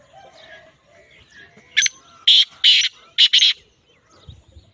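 Black francolin giving a harsh, grating run of five loud rasping notes, paired and quick, over about two seconds; faint chirps of other birds behind.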